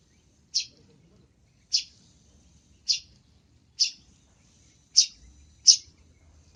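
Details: Cendet, the long-tailed shrike, singing actively on a fill-in training recording; short, grating high notes spaced about a second apart, seven in total, in an otherwise quiet setting.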